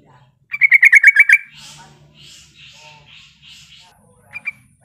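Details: A sooty-headed bulbul challenging a rival, a call meant to make other bulbuls answer. It gives one quick run of about seven sharp chattering notes, then soft hissy rustles and a faint double chirp near the end over a low hum.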